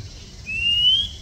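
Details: Oriental magpie-robin (Copsychus saularis) song in Thailand: one clear, pure whistle sliding gently upward, lasting about half a second, over a faint low hum.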